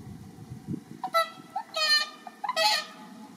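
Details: Whooper Swans at Asahiyama Park, Iwanuma, Miyagi, Japan, in early March, captive birds calling busily to draw wild swans' interest; loud trumpeting honks, several in quick succession, over low rumbling background noise.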